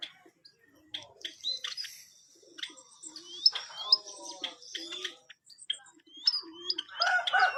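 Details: White-headed munia singing actively, with bursts of short high chirps and quick upswept whistled notes, scattered soft low notes between, and brief pauses in between phrases.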